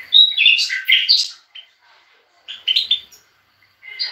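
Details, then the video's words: Bright twittering of a European goldfinch in a recording that also features bulbuls: a dense burst of rising and falling chirps, a pause, then a shorter cluster of three quick notes and a faint start. "طائر الحسون المغرّد"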